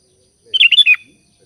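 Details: Sooty-headed bulbul calling its companions: one quick phrase of four or five liquid, slurred whistled notes that drops slightly at the end, against a near-silent background.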